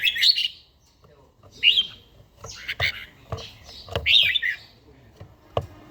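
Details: Caged old red-whiskered bulbul in morning training, singing in the wild 'forest voice' style: short bright warbled phrases, bubbling and rising, spaced about a second apart, with sharp knocks and clicks between them.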